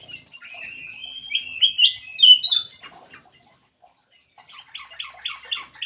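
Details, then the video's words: Lure call of black-crested bulbuls in an aviary: a rising string of bright, slurred whistled notes builds to a loud peak, a pause, then a quick series of rapid repeated chattering chirps. "SUARA PIKAT KUTILANG EMAS"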